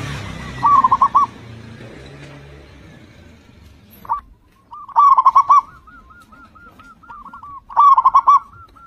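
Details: Loud local zebra dove song used to coax other doves into singing. After a dull rumble at the start, three bursts of rapid, rolling coos arrive several seconds apart, each followed by a softer, echo-like string of coos.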